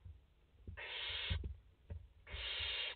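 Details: Barn owl chicks, five of them in the nest on 29 August 2021, make long rasping hiss-screeches, two drawn-out bursts of about half a second with soft bumps and shuffling between.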